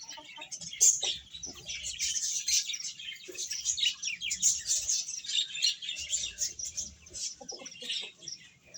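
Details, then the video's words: Baby chickens feeding, giving a constant chorus of thin, high peeping chirps from many chicks at once, with faint low rumbling in the background. "Beautiful Chicks Chirping Sounds | Baby Hen Eating"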